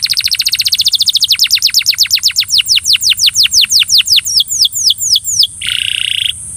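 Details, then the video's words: Belgian canary singing to encourage another canary. A long, rapid trill slows into a series of drawn-out falling whistles, followed by a brief harsh buzzing rattle. "Canary bird coaxes friend to sing! Belgian Canary"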